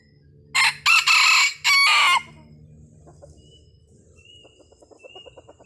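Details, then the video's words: A red junglefowl, recorded as a lure sound, gives a loud, harsh, clipped crow in a few quick broken bursts, then a run of soft rapid clucks. "Suara Pikat Ayam Hutan"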